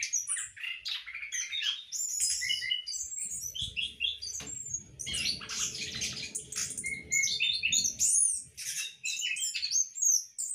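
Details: Caged orange-headed thrush kept for breeding sings a rapid, varied, high-pitched warble of chirps and whistled slurs, while a low mechanical rumble runs through the middle section.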